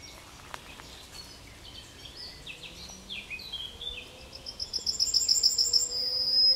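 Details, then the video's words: A yellowhammer at the edge of Kabacki forest, Poland, sings a quick, even run of high, thin repeated notes that builds in loudness, after softer descending chirps from other birds. "Trznadel śpiewa"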